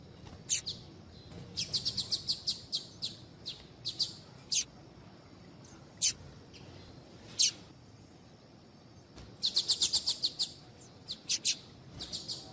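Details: Chirping female Double-collared seedeater calling to excite males into singing. Thin, high-pitched chirps come in irregular runs and lone notes, with a dense rapid burst of about eight chirps late in the sequence. Background is quiet.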